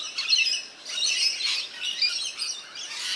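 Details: Rainbow lorikeets bathing in a backyard birdbath in NSW, Australia, screech in harsh, high, rasping bursts that overlap and come in waves about every half second, with several birds chattering together.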